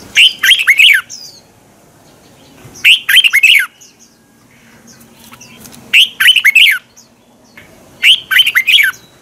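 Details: Red-whiskered bulbul decoy song for training birds and provoking them to sing in the morning: four short, bright whistled phrases of looping notes, repeated roughly every two and a half to three seconds with quiet gaps between.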